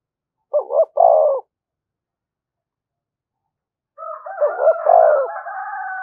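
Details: Spotted dove calling to provoke other doves, one clear phrase of two short coos and a longer croo, then another coo phrase buried beneath a higher, buzzy, sustained call from a second bird.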